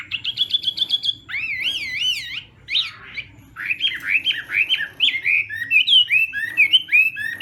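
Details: Chinese hwamei morning singing practice, opening with a rapid trill, then wavering whistled notes, harsh fragments, and a lively sequence of quick rising and falling whistles.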